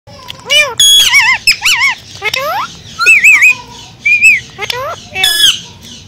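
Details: Pet Indian green ringneck parakeet talking in a human-like voice: a loud run of arched, harmonic squawks and wavering whistled syllables, rising and falling quickly, with short pauses between phrases.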